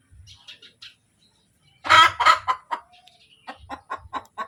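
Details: ['Hen calling after laying an egg: two loud harsh squawks in quick succession, then a fast run of short, evenly spaced clucks, with faint chirps at the start.']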